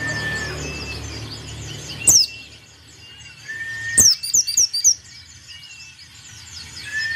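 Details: Vigorous white-eye song: an isolated shrill downslurred note, then a burst of about six quick, piercing descending chirps, with steady whistled tones between them.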